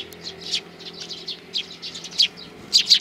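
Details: Three sparrow nestlings, 12 May 2019, calling insistently: dense strings of high, piercing chirps and squeaks, growing louder toward the end with several sharp, strong peeps.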